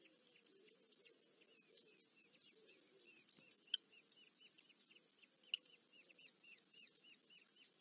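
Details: Eurasian hobby chicks in Dorset, UK, begging while being fed on 13 July 2024: repeated thin, high squeaky notes in quick irregular series, with a few sharp clicks and a low background rumble.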